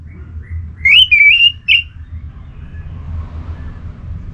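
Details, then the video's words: Anis merah, the orange-headed thrush, singing gacor to bait other birds into song: a single short phrase of quick, sliding whistles that rise and waver, then fade into quiet low rumble. "Anis Merah Gacorr Untuk Pancinggan Burung Punglor Jadi NGeplong"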